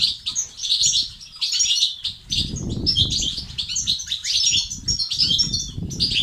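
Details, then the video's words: European goldfinch batbata and stastat song to increase male activity and singing: dense, tinkling twitters and buzzy chirps in quick series, accompanied by a low rumbling background. "أقوى بتبتة وستستات للتحفيز الدكور الحسون وتساعده في زيادة النشاط وتحفيزهم على تغريد وعلاج صمت حسون"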